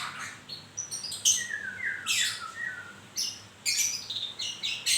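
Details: Moulting white-rumped shama giving a mix of thin high whistles, falling slurred notes and harsh buzzy bursts, phrases separated by short pauses.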